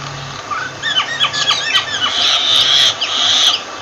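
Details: Clear sliding whistles and chirps from a myna tumble in quick succession, then give way to a long, harsh squawk.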